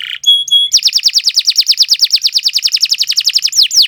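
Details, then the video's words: Canary with a long, continuous tutoring song: a brief buzz and pure whistled tones, then a steady rapid series of bright down-slurred notes, about eight per second, lasting over three seconds. "Kicau Burung Kenari II GACOR PANJANG Cocok untuk Masteran"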